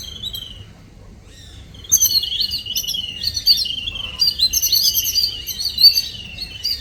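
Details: Small morning-visitor birds start with a few soft chirps, then break into loud, busy, high-pitched chattering that carries on to the end.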